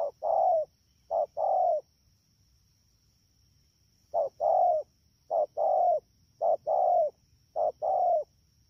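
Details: Spotted dove, a wild-caught bird in the rainy season, recorded at Đak Tô on 3 October 2019: two quick short-then-long cooing pairs, a pause of about two seconds, then four more pairs, with a constant thin high tone behind.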